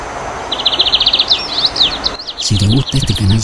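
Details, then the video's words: A Lined Seedeater (Sporophila lineola), also called tucero, corbatita or bengalí, sings a fast, dry, buzzy trill followed by high, twittering warbled phrases. A man's voice begins speaking near the end. "CANTO DE TUCERO - CORBATITA - BENGALÍ - Sporophila lineola"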